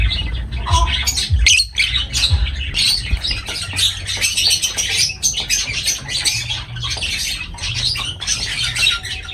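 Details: Continuous high-pitched lovebird twittering and squeaking, busy and overlapping like several birds at once, with a faint low hum.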